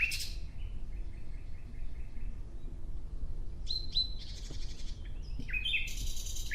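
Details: Singing nightingale: an opening burst of notes, a pause with faint thin sounds, then pulsed buzzy phrases and sharp chirps near the end.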